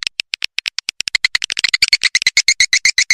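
Swiftlet chirps in a quick, even run of sharp, bright clicks. The pace picks up, then holds at about eight a second.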